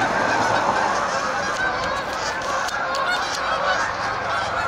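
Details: Canada geese landing at dusk: a flock's loud, overlapping nasal honks pour out without pause, many birds calling at once in a dense, continuous clamour.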